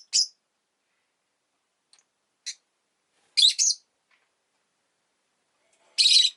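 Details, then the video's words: Two pet rosy-faced lovebirds clustered at an entrance give sharp shrill chirps, one doubled burst and a long grating call at the end, separated by silent pauses. "Lovebird Chirping Sounds"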